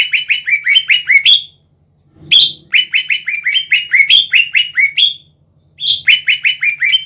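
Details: Greater green leafbird, a prolific captive singer, used as a lure to provoke other leafbirds into singing: fast runs of sharp, downslurred whistled notes, about five per second, in two long bursts split by a short pause, over a faint low hum.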